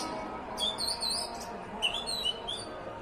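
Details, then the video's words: A bird sings during the call to prayer: two bursts of bright, high chirps and twittering notes, with short rising and falling whistles, separated by a brief pause over a faint background hum. "bird is singing during ajan"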